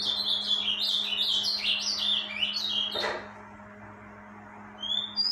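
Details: Breeding-season song of a rufous-collared sparrow: a three-second string of sweet, high whistles that step and slur, a knock near the end, then a few faint far notes; low electrical hum throughout.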